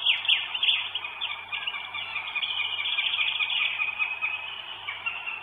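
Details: Northern goshawk with food, Estonia, 1 May 2022: a harsh, drawn-out squealing wail holds steady through most of the recording. A few short, sharp high chirps come at the very start.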